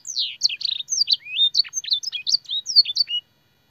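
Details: Canary song with blackthroat and sanger phrases, used to train young singers: about a dozen clear, separate whistled phrases, some rising and some falling, over three seconds, then silence.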